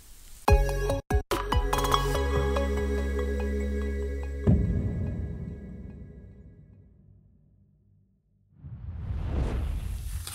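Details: Sustained electronic music tones fade into near silence, followed by a rising rush of broadband noise, with no animal calls.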